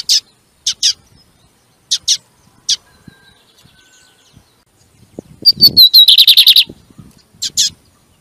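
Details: Lined seedeater song meant to excite kept birds: sharp paired chirps at irregular gaps, then a dense phrase of whistled notes and quick buzzy repeated elements, with a low thump beneath.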